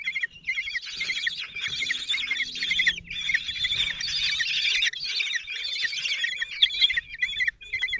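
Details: Common kestrel nestlings, four aged 16 days, during a feeding by the male at a nest in Théding, 26 June 2023; a near-unbroken chorus of shrill, trilling squeals rises and falls in intensity.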